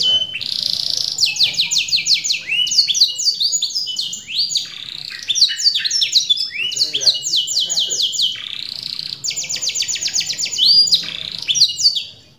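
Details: Lure-and-therapy song of a canary: loud, high, varied song with long runs of rapid descending notes, rolling trills and sharp whistled phrases that continue without pause.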